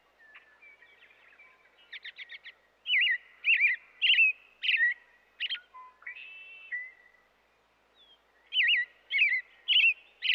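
An American robin carols in short, clear whistled phrases that rise and fall, given in quick bursts with brief pauses. Some thin, high twittering notes come between phrases.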